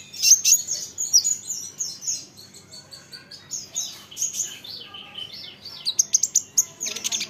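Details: Olive-backed sunbird song intended to make other sunbirds reply: softer, thin high twittering and squeaky ticks running steadily, ending in a louder burst of sharp chirps.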